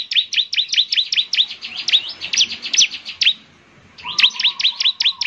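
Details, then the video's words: Bar-winged prinia sings to make other prinias answer: quick, regular high chips in a long run, a brief pause, then another burst, with a faint steady low whistle beneath. "Inilah suara ciblek GACOR paling di gemari, SEMUA ciblek pasti langsung NYAUT"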